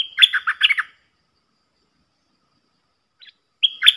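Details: A champion singing Red-whiskered Bulbul, played so young birds learn its song or to lure wild birds, gives a bright, bubbly phrase of quick warbled notes lasting about a second, then pauses before the next phrase.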